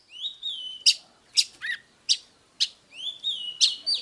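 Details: Oriental magpie-robin singing in a stimulating song meant to provoke fighting: long sweet whistles alternate with harsh scratchy bursts about every half second, plus a low slurred note; faint background hiss.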